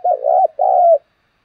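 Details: Spotted dove cooing to lure other doves: two loud, low, rounded coos back to back, the first wavering, the second longer and smoother, then silence.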